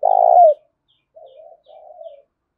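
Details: Energetic decoy spotted dove call meant to prompt wild doves to answer: one strong, sustained coo falling at its end, followed by two quieter, wavering low coos after a short gap.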